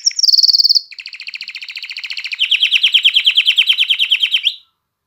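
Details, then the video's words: Canary singing to rouse hens for mating and prompt chicks to sing, a fast high trill dropping into a long, steady rolling trill that swells in loudness before stopping. "تغريد كناري نار لتهييج الإناث على التزاوج وتحفيز الفراخ على التغريد"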